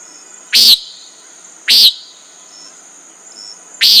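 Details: Common nighthawk giving three short, buzzy, nasal notes, each about a fifth of a second, spaced one to two seconds apart, over a steady high insect hum.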